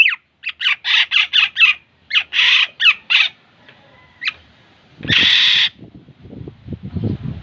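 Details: Black-naped oriole (kilyawan) giving a rapid series of short, harsh, buzzy notes, about four a second in two runs, then one longer loud rasp and some low rustling.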